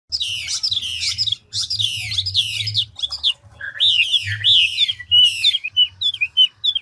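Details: Chinese hwamei, a mature forest-caught bird of the five-phrase style, singing fast and switching voice continuously: loud rich whistled phrases, sweeping slurs and rapid repeated notes, with a constant low hum behind.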